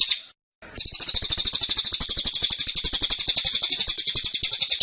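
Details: Cililin burst song, tight and insistent: a short fragment, a brief gap, then a sustained shrill trill of rapid clicking notes lasting about four seconds.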